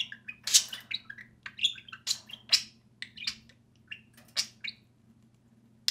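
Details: Pet budgerigars, two birds playing and talking indoors: loud bright chirps and squeaky warbled phrases in quick succession, then thinning out toward the end, over a low hum.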